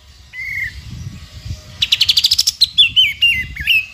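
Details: Sooty-headed bulbul song meant as tutor material for other songbirds: a single clear downslurred whistle, a quick rattling trill climbing in pitch, then several short wavering whistles; low background hum.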